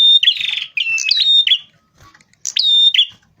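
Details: Rufous-fronted prinia, vigorous lure song. A rapid buzzy burst is followed by high steady whistles and a short trill, then a pause and another whistled phrase.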